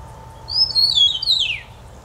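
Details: Eastern meadowlark singing a single clear whistled phrase of high, sweet slurred notes that glide downward at the close, in a quiet outdoor setting.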